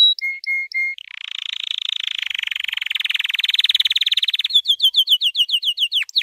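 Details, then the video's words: White canary in training song: a few steady whistled notes, a long loud buzzing roll lasting over three seconds, then rapid upswept chirps. "White Canary 12h Singing - The Best Training Song"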